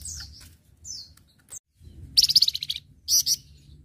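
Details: Flamboyan in full song, kept as a tutor recording for training other birds: high falling whistles, a pause, then a loud fast pulsing chatter and one short harsh burst.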